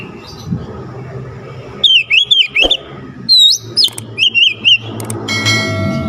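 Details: Oriental magpie-robin singing to excite a lazy magpie-robin: two quick series of looping whistles over steady low background noise and a brief clatter at the end.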